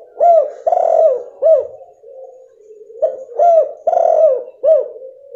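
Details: Female spotted dove lure call meant to prompt a silent male to call: two loud phrases of three throaty coos, short, long and rough, then short, about three seconds apart.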